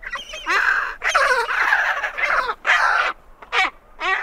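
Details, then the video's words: Harsh, raucous calls of great skuas invading the territories of two neighbouring penguin pairs, a dense run of grating, yelping notes with brief gaps, ending in short rasping bursts. "Skua Calls As They Invade Territories Of Two Adjacent Penguin Pairs."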